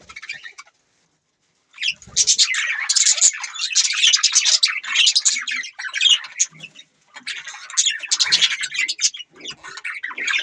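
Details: After a second of quiet near the start, budgerigars burst into loud, busy chirping and scratchy warbling that carries on with a short pause around seven seconds.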